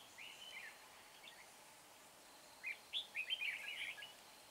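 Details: Red-whiskered bulbul decoy used for trapping at Hương pagoda: a soft slurred phrase, then a livelier run of rapid warbling whistles near the end, with light background hiss.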